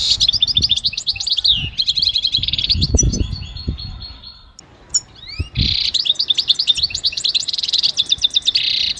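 A goldfinch sings a fast, liquid run of tinkling twitters and buzzy trills, near-continuous with one brief pause, over faint low rumbling.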